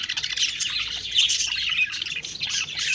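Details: Budgerigars chirping with energetic, high, overlapping twitters and squeaks, packed densely across the short stretch.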